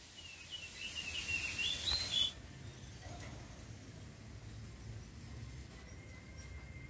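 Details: A Sampit woodpecker gives a fast, high, sharp 'shot' chattering burst lasting about two seconds over a rushing hiss, followed by quiet background noise.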